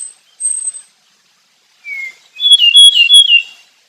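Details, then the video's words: Okinawa nightingale singing: a thin, very high whistled note, a pause, a lower falling whistle, then a loud rapid phrase of warbled whistles mixed with sharp high pips, in quiet surroundings. "El ruiseñor de Okinawa"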